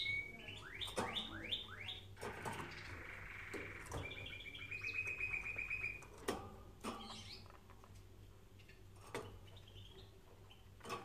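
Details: Canary song meant for training canaries, heard in a room: fast rising chirps, then a quick rattling trill and sharp sweeping notes, among scattered clicks and taps.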